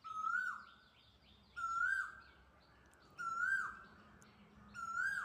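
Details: An unseen quail perched near a tree calls back and forth with another bird, giving a clear whistled call ending in a dropping slur. The call repeats four times at about 1.5-second intervals over a soft hiss.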